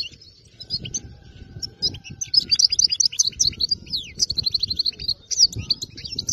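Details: European goldfinch taken from the wild, with a clean, fault-free song. A continuous, lively jumble of high twittering, chirps and quick slurred notes builds in intensity. Low rumbling noise sits beneath it.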